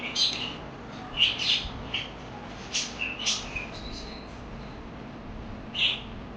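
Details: Parakeets chirping: short, bright, high chirps come in scattered bursts, about eight over six seconds, some doubled, with quiet gaps between and a faint low hum underneath.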